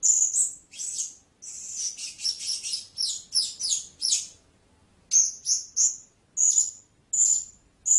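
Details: Blue-crowned hanging parrot: a busy chatter of slurred, high squeaky notes, followed by evenly spaced single shrill whistled squeaks.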